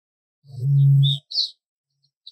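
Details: A male Eurasian bittern gives a single deep, hollow boom lasting about half a second, a spring call said to carry up to three miles; thin, high chirps from small birds follow.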